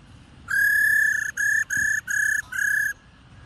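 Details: Female black-throated laughingthrush calling to stir males into song: one long, level, harmonic-rich note, then four shorter matching notes in a quick even series. The room is otherwise quiet.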